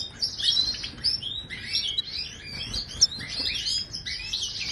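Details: Authentic Moroccan goldfinch song for tutoring silent caged birds: continuous blurred high twittering in short phrases about a second apart, with faint background noise.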